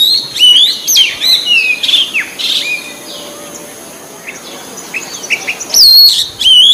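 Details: Wild white-breasted magpie-robin singing to encourage caged birds to respond. Loud whistled phrases of sweeping, slurred notes and harsh chips, a quieter stretch with soft distant calls, then bright rising whistles again.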